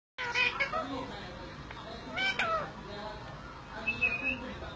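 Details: Green parrot talking: a run of speech-like, voice-like phrases with shrill tonal notes around the start and again near the end, loudness rising and falling in bursts, over a low steady background hum.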